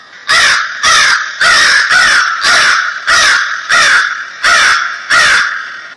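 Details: Crows calling: loud, harsh, raspy caws repeated in a steady series, eight caws in about six seconds, each short and slightly falling, with little else in the background.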